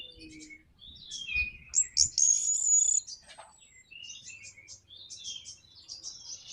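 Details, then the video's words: Orange-headed thrush in a 'nraktak konslet' lure song meant to draw other birds into singing, heard softer: a long, high, thin whistle amid chattering and warbled notes, over a low background rumble. "PANCINGAN NRAKTAK KONSLET ANIS MERAH BIKIN GACOR ATASI SUSAH BUNYI"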